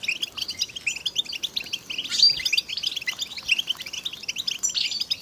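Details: European goldfinches singing as a group, calls meant to spur silent males into singing; softer, steady stream of quick twittered chirps and buzzy trills, many birds overlapping, a brighter peak near two seconds.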